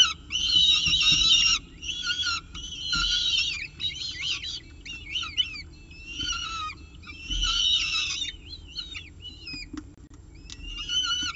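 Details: At the CSU Orange nest, a Peregrine falcon eats a pigeon breakfast on 24 October 2018. Rapid series of grating, wailing calls rise and fall. They mix with quicker chittering notes in irregular bursts throughout.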